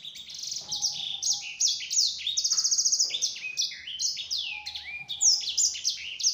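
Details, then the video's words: Lure song of a yellow-fronted canary, used to get other canaries to reply: rapid, high, varied trills and slurred down-swept notes in quick succession, with a lower steady whistle heard twice beneath the phrases. "Suara Burung Sanger Ampuh Untuk Pancingan, Bikin Sanger Lain Nyaut."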